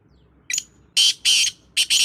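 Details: Black francolin, or kala teetar, recorded in February 2025, giving its grating call: a brief introductory note followed by loud, harsh, buzzy notes in a clicking rhythm, with low background hum.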